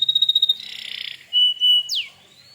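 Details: Domestic canary in full song, used to provoke other canaries into answering: a rapid pulsed trill at high pitch, then a buzzy rolling phrase, a steady pure whistle, and a steep descending slide fading into a faint rising tone.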